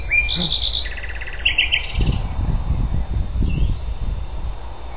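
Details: Recorded on 14 June 2010 at Algutsrum, Öland, a common nightingale sings short bursts of quick repeated notes, each burst at a different pitch, while low human voices and rustling follow.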